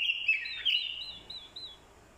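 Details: Orange-headed thrush decoy male in fighting song, stirred by a female's call: loud slurred whistles at the start, followed by four or five evenly spaced wavy high notes that trail away.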